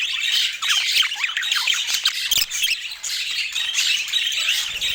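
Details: Lively budgerigar warbling and squawking, full of quick rising and falling chirps packed tightly together.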